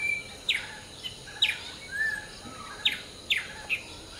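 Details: Hill myna in the morning chorus, preening between calls: loud, sharp whistled notes come irregularly about every half second to second, with a soft gliding whistle in between over constant hiss.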